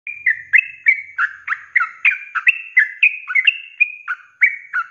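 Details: Sooty-headed bulbul, kept as a cage bird, singing a rapid 'ropelan' training song: bright, fluting whistled notes in quick succession, each dropping or bending in pitch, about three per second, with no other sounds.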